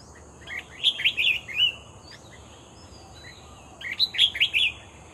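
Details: Vocal red-whiskered bulbul heard while being lured: a cheerful warbled phrase of rapid liquid notes, a few softer notes, then the bubbly phrase again. A faint steady high-pitched hum continues throughout.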